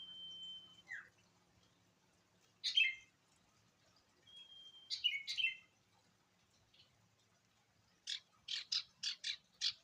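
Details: Quieter ashy tailorbird (sirtu) phrases: a thin sustained whistle dropping into a short slur, buzzy doubled notes, another level whistle, then a closing run of six rapid sharp buzzes.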